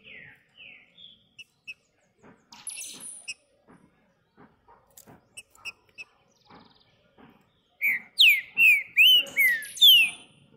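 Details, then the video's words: Green-winged saltator singing while perched on a person's hand: soft scattered clicks and faint notes for several seconds, then a loud burst of about six ringing, downslurred whistles in quick succession near the end. "TRINCA FERRO CANTANDO NA MÃO"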